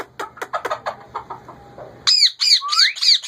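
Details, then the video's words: Male ringneck parakeet kept as a pet, talking: a run of short, speech-like syllables for about two seconds, then loud, high, sweeping whistled notes repeated rapidly to the end. "Ringneck male talkking"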